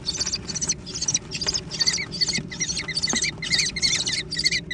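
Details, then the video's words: American kestrel chicks fighting over food: harsh, trilled squealing notes repeated in quick bursts about twice a second, several young calling over one another, with faint low rumble beneath. "小隼的搶食大戰 (American Kestrel)"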